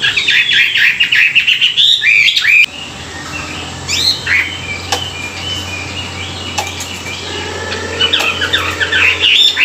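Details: Chinese hwamei singing in the morning for song training: a loud burst of rapid, varied whistled phrases sweeping up and down, then a quieter stretch with scattered notes, and the rich warbling returning strongly at the end over a low hum.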